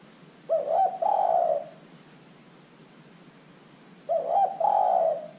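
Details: Spotted dove in strong voice serving as a calling lure: two hoarse cooing phrases about three and a half seconds apart, each a brisk doubled note then a long rough coo.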